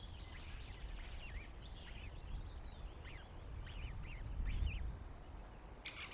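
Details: Osprey female calling at a Loch of the Lowes nest, 19 May 2022, as her mate brings a fish to their newly hatched chick: a run of thin, high, slurred whistled chirps over a steady background hiss and low rumble.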